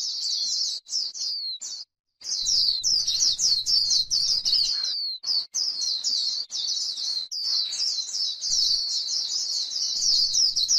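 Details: White-eye heard on grassland delivering 'líu' chatter, dense high-pitched twittering notes poured out at a fast pace, broken by brief gaps before running on continuously.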